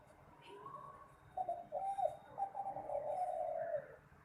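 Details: Song of a spotted dove kept for singing contests: after a quiet start, a run of mellow, low coos, choppy at first, then a long steady drawn-out note.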